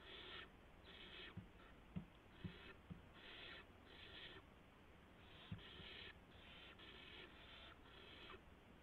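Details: Barn owls at 3:10 AM, March 16, 2016, during a gopher delivery to the owlets. Repeated harsh hisses pulse in irregular bursts, mixed with several sharp taps and scuffing sounds.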